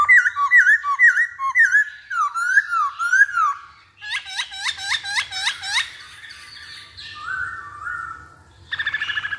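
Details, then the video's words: Masked laughingthrush singing as a lure for other birds. Bubbly whistled notes repeat about twice a second, then a burst of rapid hooked notes, soft drawn whistles and a buzzy finish. "Pancingan Poksay Hongkong Paling Ampuh"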